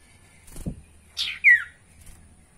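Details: Sirtu voice played to prompt caged birds to sing: a low thump, then a rasping note followed by a clear, sharply falling chirp.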